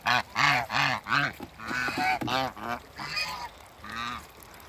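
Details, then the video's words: African geese, a meeting couple on a waterbird farm, give a rapid run of loud, rounded honks, about three per second at first, then slower, fading calls. "MEETING AFRICAN GEESE COUPLE"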